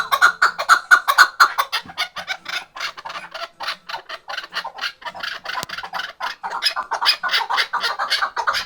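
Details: Hunting chukar partridge on a tether, from Khoja Mumin salt mountain. Repeated harsh clucks run at about two per second, sometimes uneven and fading in strength, then pick up again toward the end.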